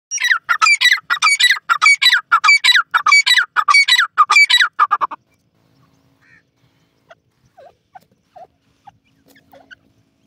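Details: Male francolin calling: loud, harsh, rhythmic series of grating notes repeated about every half second for five seconds, then quiet with faint distant chirps.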